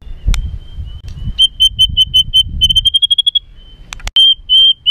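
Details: White-rumped shama giving harsh provoking song: a steady series of short, clipped whistled notes on one pitch, speeding slightly, then a long held whistle, with faint low background noise.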